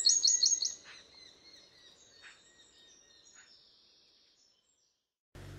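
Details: Eurasian wren in Ireland, a very small but very loud bird found in gardens nearly everywhere, sings a loud, high rapid trill of sharp notes fading over about four seconds, followed by a brief burst of noise at the end.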